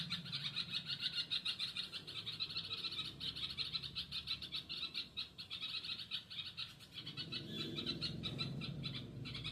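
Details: A bulbul mother looking for her chick calls in rapid rhythmic chirps, many notes each second, holding a steady pulse before the series softens and blurs toward the end.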